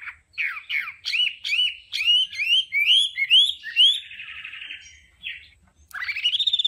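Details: Hwamei with a varied training song that switches tones. A string of rising, looping whistles climbs in pitch and ends in a vibrating trill. A pause precedes a loud, buzzy upward note.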